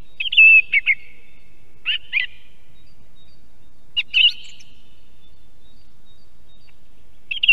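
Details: Near an osprey nest in Estonia, a song thrush sings loud whistled notes, then paired chirps repeated in quick succession, separated by pauses, with a faint steady high tone behind.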